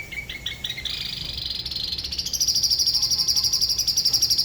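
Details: Spot-throated babbler of Dalat, Vietnam, La Ba river, singing solo in its distinctive regional manner: short rising notes speed up into a high, fast, even trill held for about two seconds.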